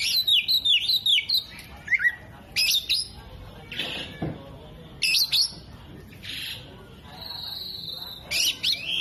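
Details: Oriental magpie-robin singing vigorously with tail fanned, mimicking hummingbird, jenggot and lovebird: quick downslurred high notes at the start, then separate loud bursts, harsh squeaks and a level whistle spaced through the clip.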